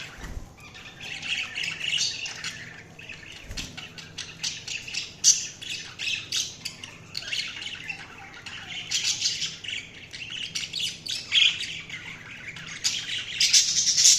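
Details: Budgerigar chirping over fourteen seconds: dense, buzzy chatter of many quick high chirps and squawks, growing busier and louder near the close.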